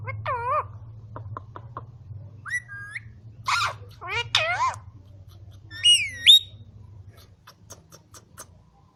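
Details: Talking green ring-necked parakeet at a farm in Quetta: wavering whistled notes, short ticking clicks and warbled speech-like phrases, ending in a loud rising whistle, all above a low background hum.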